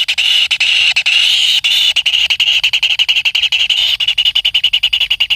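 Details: Kingfisher chick begging while being fed by its parent: a continuous shrill, high buzzing call, breaking into rapid pulsed bursts toward the end.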